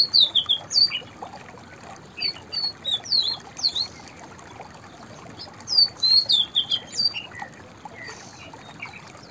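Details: White-browed fantail song: three runs of high, sweet whistled notes that step up and down. Each phrase lasts about a second, with pauses between them. Steady low background hiss.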